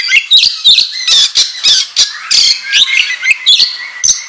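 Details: Kacer (oriental magpie-robin) lure recording in ngobra style. Harsh squawking bursts alternate with sharp whistled notes, about two or three phrases per second, intense and nonstop.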